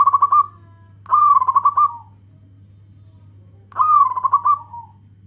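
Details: Zebra dove of the local type calling to its companions, a lure call: three loud rolling coo phrases, each a quick series of pulses slightly falling at the end, with a low hum throughout.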